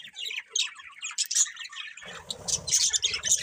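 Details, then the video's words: Budgerigars chirping in a steady jumble of high twittering and short squawks, growing busier and slightly louder in the second half. "Adorable Budgies Chirping Sounds"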